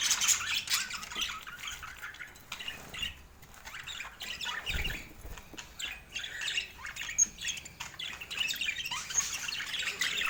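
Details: Budgerigars kept as pets chirp and squawk in uneven, quieter bouts separated by lulls, with occasional sharp high squeaks, light rustling and a low bump midway.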